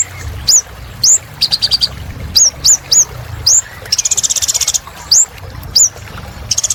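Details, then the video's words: Energetic sunbird singing, intended to get other birds singing again: repeated rising hooked whistles about every half second, short clusters of ticking notes and a sustained buzzy trill. "Kolibri Ninja Gacor Untuk Terapi Burung Macet Bunyi"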